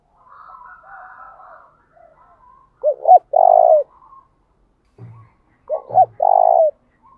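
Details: Spotted dove calling as a lure to provoke other doves to sing; loud phrase given twice, each a quick double coo then a long buzzy sustained note, with softer distant cooing at the start and a brief low thump.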